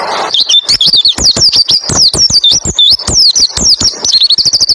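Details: White-eye singing in the 'roll tembak ngalas' style, a tutor recording meant to get other white-eyes singing: rapid, dense run of high whistled notes sliding down and up, broken by sharp clicking ticks, almost without pause.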